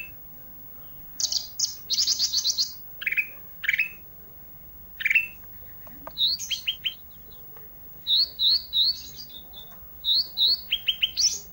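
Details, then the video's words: Olive-backed tailorbird singing vigorously as isian filler: buzzy trill bursts, sharp downward whistles and, later, runs of quick high rising-falling notes repeated in groups. "suara isian, ranting gacor."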